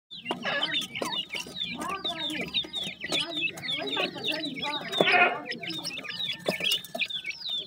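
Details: Newly hatched grey francolin chicks calling for their mother: a dense chorus of short, high, downslurred peeps from many chicks, overlapping continuously, with lower soft clucking and murmuring sounds beneath and a louder burst near the middle.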